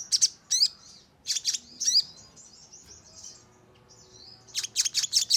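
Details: Crimson sunbird lure recording meant to draw birds into responding, shooting and fluttering; very high, sharp thin chirps and quick trilled bursts, a cluster of rapid notes at the start, a quiet middle, then a dense run of notes at the end.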